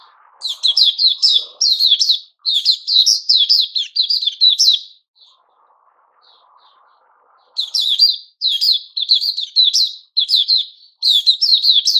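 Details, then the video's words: White-crowned shama, a kept bird in its season of new feathers, dated 06-09-2021, singing bursts of rapid whistled and chattering notes with sharp upswept accents, pausing midway for about two seconds before resuming; a faint low rustle in between. "Puteh Raja season new feathers"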